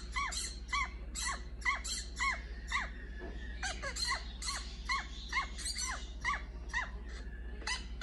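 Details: Pet orange-fronted parakeet indoors while watching videos: a rapid series of squeaky, downward-bending notes repeated about twice a second for eight seconds over a steady low hum.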